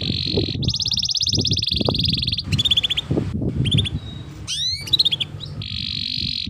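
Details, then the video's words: Canary song for tutoring other canaries to sing: fast, buzzing trill runs alternate with clipped, sweeping chip phrases and sharp downslurred notes, over a low rumbling background. "Pancingan Burung KENARI Gacor Panjang || Masteran Kenari Paud"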